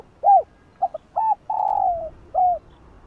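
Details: Calling and bow-cooing spotted dove, used to excite other doves: one arched coo, two quick soft notes, another coo, then a long level droning coo and a final falling hoot, against faint background.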